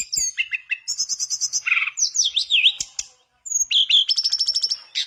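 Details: Mangrove blue flycatcher singing vigorously, used as a lure to prompt a silent mangrove flycatcher to sing: high varied phrases of short whistles, rapid chip series, a looping warbled whistle and buzzy trills, with a brief pause near the middle.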